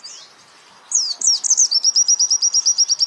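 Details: White-eye singing in a training recording for songbirds: after a soft opening note and a pause, bright sweeping chirps turn into a quick, regular trill of high repeated notes.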